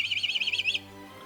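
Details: A Black Kite of a breeding pair with chicks, nesting 18 m up a 100-year-old oak near Korostovo, Ryazan region, Russia, gives its soft, quavering whistle: about a dozen rapid high notes in under a second. A faint low hum continues beneath.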